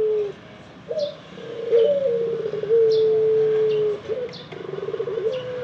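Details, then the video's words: Barbary (ringneck) dove giving low, soft, drawn-out coos, one long note held over a second, with brief faint chirps of small birds behind. "Ringneck Dove Cooing"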